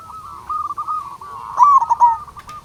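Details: Local zebra dove singing energetically as a lure to set other zebra doves singing: a loud rolling cooed trill with harmonics over a steady background of softer, overlapping cooing from other doves.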